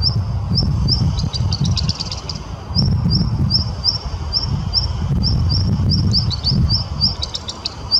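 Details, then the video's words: A Black Redstart sings in Kazan, Tatarstan on 23 June 2017: high, thin notes in quick repeated runs, broken by brief scratchy crackles, over a steady low rumble of wind or distant traffic. Black redstart. "Black Redstart singing"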